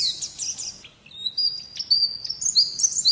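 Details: White-eye, a contest-style master singer kept as a pet bird, with high thin twittering notes, a brief pause, then sharp whistled slurs and rising chirps repeated in quick bursts; faint low background hum.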